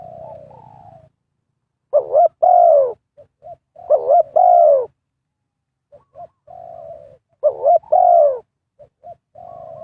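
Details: Spotted dove cooing as a decoy to lure wild birds for trapping: a soft opening coo, then a rising double note and a loud, drawn-out, falling coo, repeated about every two to three seconds with short notes and quiet pauses between.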